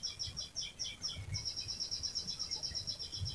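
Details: Canary rolling song kept as a lure for other canaries: slower, uneven high chirps that break into a fast, even trill of bright notes, heard at low level over a gentle low hum.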